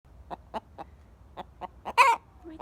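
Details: A pet Buff Orpington hen sounds an alarm, perhaps at something scary, with a run of short, clipped clucks about four a second, then one loud, harsh squawk before resuming; other hens had been alarming shortly before.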